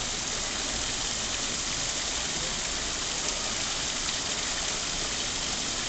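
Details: Steady, dense hiss like rain falling on a surface, spread evenly from low to high pitches, with no animal calls standing out.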